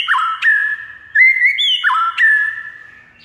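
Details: Loud, ringing song of a white-rumped shama meant to provoke a silent bird to sing: short whistled notes stepping high and low, with quick downward slurs and a rising glide, in brisk phrases.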